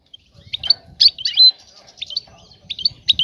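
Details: Female goldfinch calling for a male to mate: a lively run of high, rapid twittering chirps and short tinkling notes, with a faint low murmur underneath.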